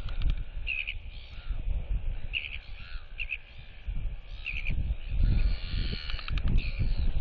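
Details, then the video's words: Royal albatross youngster showing off to two chicks at a neighbouring nest; short bursts of bright, raspy notes come in several groups through loud gusting wind, with neighbours clacking at her. "Royal Albatross ~ NTF Follows SSTrig's Footsteps & Displays & Whistles to UQ & Quarry Chicks!"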